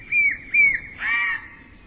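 Two soft, piping whistles from a bullfinch, each a little wavering, followed by a longer creaky, rasping note; the background is quiet.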